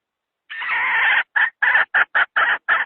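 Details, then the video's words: Hen calling as a decoy to lure wild junglefowl into traps: one long harsh drawn-out note, then six short clipped clucks in quick irregular succession, sharp and nasal, with no other sounds. "Tiếng gà mái nhảy bổi nhất 2020!"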